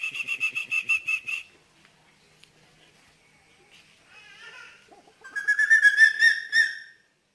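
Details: Strange night call of an eagle: a loud series of evenly spaced pulsed notes for a second and a half, a quiet, twittering interlude, then a rising, strongly harmonic chattering cry of similar length.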